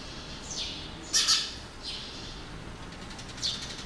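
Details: A flock of red-rumped swallows, Mashiko, Tochigi, Japan, 5 July 2020, gives short, high, slightly nasal chirps spaced irregularly, with one brief doubled burst near the middle; faint background hiss.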